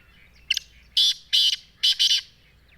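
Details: Black francolin in Sindh, Pakistan, giving its harsh, scratchy multi-part call: a short opening note, then loud rasping grating phrases, with faint background chirps between bursts.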